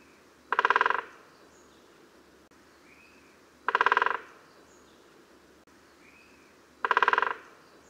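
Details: A great spotted woodpecker in the UK drums in three loud, rapid rattling bursts, each about half a second long, spaced roughly three seconds apart over a quiet background. Drumming comes from males claiming territory, starting around January–February.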